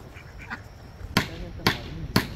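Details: A domestic duck on a farm, just after feeding time, gives three short, harsh quacks about half a second apart, after faint speech at the start.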